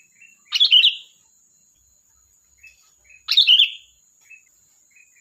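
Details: Sooty-headed bulbul giving loud, sharp chirping phrases about every two and a half seconds, each a bright burst that slides downward, with soft short notes in between and a thin steady tone behind.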